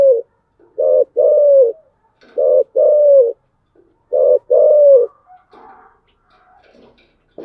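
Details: Repeated spotted dove cooing in the 'giọng thổ chiêu gù' style: three phrases about 1.7 seconds apart, each a brief low note, a hooted coo and a longer falling coo. Faint rustling follows the last phrase.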